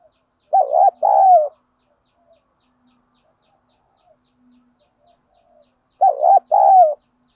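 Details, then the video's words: Spotted dove in the wild 'field voice' style, urging and calling coos used to excite trained birds: two low coo phrases about five seconds apart, each a short wavering note then a longer level one, in a quiet setting. "chim cu gáy thúc gù & gáy gọi, cu gáy giọng đồng, gù thúc, tiếng đồng gáy gọi"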